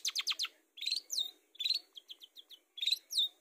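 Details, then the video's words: Long-tailed shrike lure song: fast ticking runs, sharp downslurred whistles and short chirps repeated in lively, uneven phrases. "Pancingan Burung Cendet supaya gacor"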